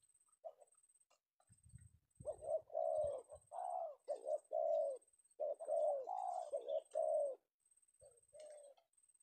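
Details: Afternoon-caught male spotted dove from Indonesia, penguku voice type valued for luring; a run of loud, slightly buzzy coos in quick succession after a short opening note, with a faint steady high whine in the background.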